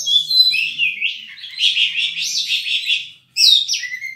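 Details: Oriental magpie-robin, a caged songbird in full song: loud, varied whistled phrases, sliding and warbling notes run together, a short pause, then a new rising whistle and trill.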